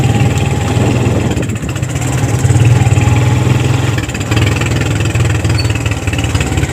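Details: A vehicle engine idles and revs steadily with a deep droning hum, briefly dipping around the middle; no animal voices come through.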